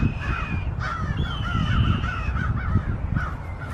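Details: Several American crows harass a departing red-tailed hawk; hoarse caws run in a ragged series above steady low wind noise, with a thin sustained higher tone drifting through.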